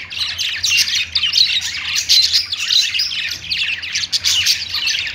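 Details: Pet budgerigars singing on their perch: bright, fast warbled chatter of squeaky chirps and buzzy trills, steady and overlapping from several birds, with small pauses between louder bursts.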